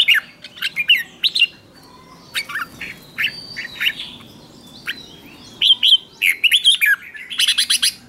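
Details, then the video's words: Red-whiskered bulbul delivering lure song to attract wild birds: scattered short chirps and warbled notes, building to a quick run of looping whistles near the end. "Chào mào mồi gọi bổi không tạp âm, tiếng chào mào mồi gọi là đến"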